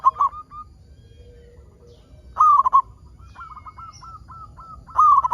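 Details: Local zebra dove in full voice, its song used to coax other zebra doves into singing. Three loud rolling coo phrases roughly two and a half seconds apart, separated by faint, rapid strings of short coos.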